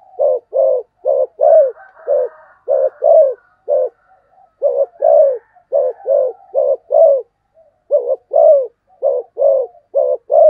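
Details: Rapid 'thúc gù tốc độ' coo series from a spotted dove: a long run of low, hollow double coos delivered quickly, with short pauses and faint soft calls in the gaps.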